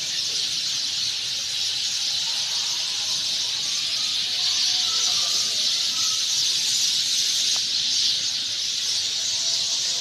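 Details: Nesting Sind sparrows at evening in a green garden, their massed chirps forming a constant shrill hiss-like chorus, with faint distant lower tones in the background.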